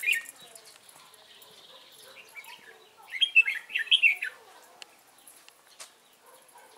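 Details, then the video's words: Red-whiskered bulbul used as a decoy in trapping, singing to provoke wild rivals; a loud burst of quick, slurred whistled notes midway through, with scattered sharp chirps and clicks before and after. "Bẫy chào mào mỏ như liên thanh"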